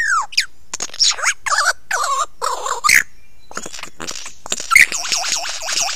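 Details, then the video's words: Lyrebird heard at close range on Ben Ricketts, 16 November 2022, 9 AM, delivering dense, warbling, wavering phrases mixed with falling whistles and sharp clicks, almost continuous and richly varied. "Singing star lyrebird"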